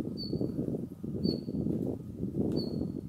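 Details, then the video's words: Siberian bluechat, a male, recorded 10 December 2019 uttering its call: three thin, high whistles spaced roughly a second apart, set against steady loud low rumbling background noise. "ルリビタキ(Siberian Bluechat)♂の地鳴き"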